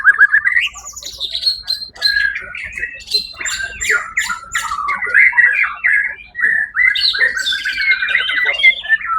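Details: White-rumped shama that took first place in a songbird competition on 1 October 2023, singing varied whistles with sharp clicking notes and chattering trills in a long run.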